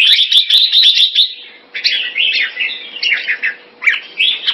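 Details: Caged red-whiskered bulbul, Singapore, performing keke on command; opens with a fast even run of bright chirps, then looser, scratchier warbled phrases over a faint hum.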